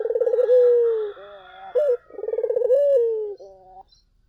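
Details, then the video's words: Collared dove song played as a lure for other doves: a short clipped note, then a rolling, trembling coo that slides into a long, smooth, falling note, given twice in about four seconds. "SUARA BURUNG PUTER GACOR!"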